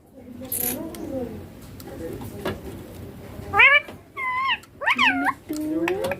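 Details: Green ringneck parakeet speaking "papa" and "mummy": after quiet room noise, three loud, wavering nasal words in a row, ending with a lower rising voice.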